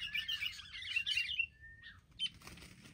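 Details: Wild sooty-headed bulbuls ganging up in an attack: a rapid burst of harsh chattering with bright chips, then a single thin level whistle, and a brief sharp chirp after a short gap.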